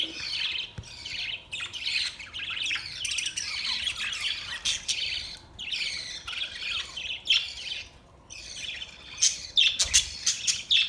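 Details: Budgerigars chirp together in a near-continuous stream of warbling, twittering chatter with rapid squeaky notes. The chatter briefly thins out before building again toward the end.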